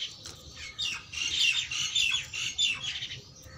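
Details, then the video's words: Black francolin singing contentedly: loud, harsh, grating squawky notes delivered in quick ragged bursts, several rasping phrases running together with brief gaps, over a faint low background rumble. "Mast Kala Tetar Enjoying and Singing"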